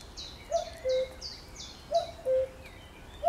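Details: Common cuckoo recorded on 1 June 2020, giving its two-note cu-coo twice: a short higher note falling to a longer, lower steady note. Another bird keeps up a rapid series of thin, high notes behind it.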